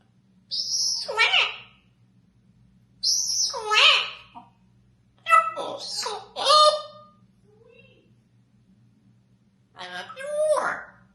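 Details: Pet African grey parrot indoors, talking: several separate voiced utterances with harsh, squeaky and whistled speech-like tones, each about a second long, spaced a few seconds apart in a small quiet room with faint low hum.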